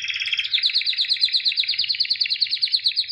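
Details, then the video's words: White canary, a true albino type and 2017 champion, singing a continuous fast rolling trill of evenly repeated buzzy notes across the whole stretch. "White Canary Singing (Albino)"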